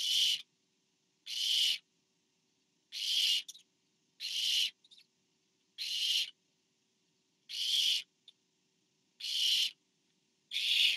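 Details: Barn owl at a nest during food delivery to an owlet, recorded 24 September 2015 on a nest camera: harsh broadband hissing screeches, each about half a second long, repeated roughly every one and a half to two seconds, with silence between.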